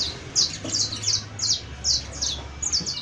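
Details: Canario basto or saffron finch repeating dense, buzzy high chirp bursts roughly three times a second in its professional singing style.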